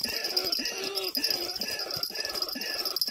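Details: White-breasted waterhen call played as a trapping lure under oil palms where waterhens were heard nearby: harsh, croaking notes repeated about twice a second, over a steady high metallic ringing hiss.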